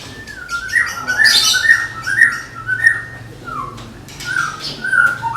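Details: Caged Medan white-rumped shama prepared for contests, singing a long chain of stepped whistled notes around a steady pitch with brief harsh bursts and occasional dipping slurs.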